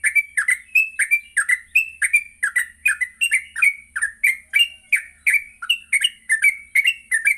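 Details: Energetic yellow-vented bulbul morning song, for training others to sing in the rapid ngropel manner: sharp, squeaky slurred notes repeated steadily, about two to three a second without a break, with a faint low hum underneath.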